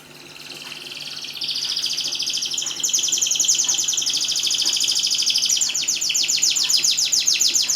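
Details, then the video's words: Canary in full song, intended to make quiet canaries sing: a continuous high rolling trill that grows louder and breaks into rapid, evenly repeated down-swept notes. "BURUNG KENARI GACOR // KENARI MACET LANGSUNG BUNYI"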